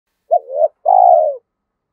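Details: Spotted dove singing a coo in the 'giọng thổ' (Thúc Đấu) style, a voice described as suited to the forest for trapping; one two-part coo: short rising note, wavering middle, then a longer mellow falling coo, no other sounds.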